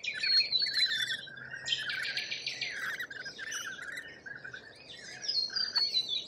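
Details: Shrill, buzzy chatter from lorikeets in Australia: a long rasping screech near the start, then a continuous jumble of high squeaky notes, with a faint low hum underneath.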